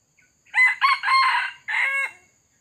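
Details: Wild male red junglefowl lured by a decoy, crowing: a loud, harsh, multi-part crow of two short clipped notes, a long drawn middle and a separate final note, about two seconds long.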